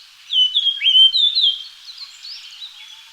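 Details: Japanese grosbeak calling: a burst of clear whistled and chirping notes, gliding and wavering between mid and high pitch for about a second, then softer chatter trailing off.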